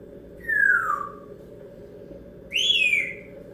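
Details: Pet female African grey parrot at home, excited and antsy just after returning from a stay at a friend's house. Two loud clear whistles: the first slides downward, the second starts higher and also falls, separated by about two seconds of quiet room hum.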